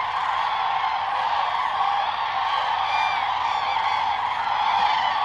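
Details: Migrating common cranes at sunrise at Lake Hornborga, Sweden, drawn towards land: a dense, unbroken chorus of many trumpeting, honking calls layered over one another, with no pauses and no other clear sounds.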